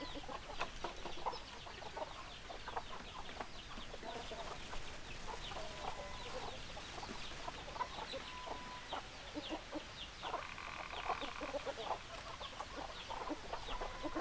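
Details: A long stretch of hens and roosters clucking nonstop, short notes crowding together, with a brief sustained tonal call partway through.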